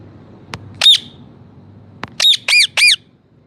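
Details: Parrot squawking: one loud harsh cry, a pause, then three rapid squawks in a row, each preceded by a faint click; otherwise quiet.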